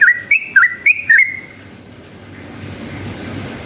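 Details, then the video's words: Yellow-vented bulbul song used as a lure to provoke other bulbuls into singing: five short whistled, warbling notes near the start, each with a quick rising-falling twist, then only a low background hum. "KICAU SUARA trucukan gacor ropel panjang ini efektif jadikan pancingan trucukan agar bunyi ROPEL"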